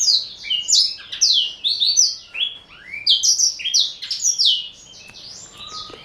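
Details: Male black-throated canary, four years old, a Somerini x Botswana pet bird eating seeds and vegetables; quick high chirps and slurred descending notes tumble together, fading softer toward the end.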